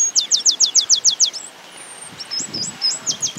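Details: Stripe-capped Sparrow singing in woodland of Santa Fe, Argentina, in 2022; its song combines whistles and trills. A quick run of seven high, downslurred notes is followed by one thin, sustained whistle, then fainter upswept notes over a soft low rumble.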